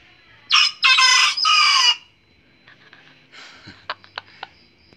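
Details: A Polish Batik rooster gives a loud, shrill, harsh crow in three drawn-out syllables, followed by a few soft clucks and clicks.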